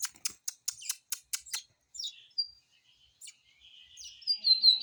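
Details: Caged lined seedeater singing: a quick run of sharp, dry clicking notes about five per second, then thin high whistles and a buzzy, wavering phrase that grows louder at the end.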